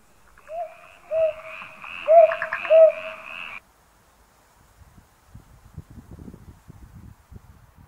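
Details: Northern boobook (brown hawk owl) at Surisan, Anyang, on 17 July 2022, where two young fledged healthily: two pairs of soft, low, slightly rising hoots over a faint high buzz, then quiet low knocks and distant voices.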